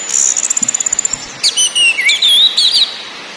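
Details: Anis merah, the orange-headed thrush, in a lure recording meant to make birds sing: a fast, even series of sharp ticks, then varied high warbled whistles that rise and fall, against background hiss.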